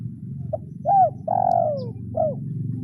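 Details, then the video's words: Spotted dove calling a rival, a trained kuk 0-1 lure-style bird: a short hoot, a bright arched coo, a long slowly falling coo and a closing arched note over a noticeable low hum. "Suara Tekukur Memanggil Lawan"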